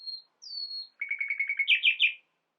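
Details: Common nightingale singing, said to produce the sounds of a whole flock of birds: a long, high, pure whistle, then a second sliding whistle, then a fast stuttering run of buzzy notes ending in three loud, rich chirps.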